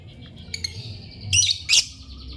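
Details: Lovebird giving two loud, sharp, high chirps in quick succession near the end, after a few faint, thin chirps, over a low steady background hum.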